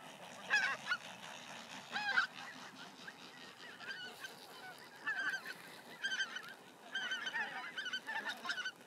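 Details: Many White-winged terns calling together in a nesting colony in 2021: harsh, grating, overlapping calls coming in bursts every second or two, forming a constant scratchy chorus.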